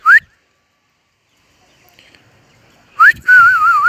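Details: A crested bird in a H'Mong village in the highlands gives a short rising whistle, falls silent for nearly three seconds, then repeats the rising note and follows with a long gently wavering whistled phrase.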